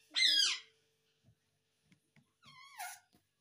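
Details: Talking pet parrot indoors: a loud, harsh, slurred squawk-like word, a pause with small clicks, then a second drawn-out, falling utterance.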